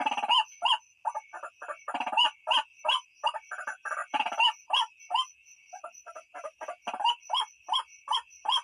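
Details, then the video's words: White-breasted waterhen, a recording used to lure birds at night: rapid, loud, repeated croaking and clucking notes, roughly three per second, uneven in rhythm, with a steady high tone running underneath throughout. "suara burung ruak ruak pikat malam"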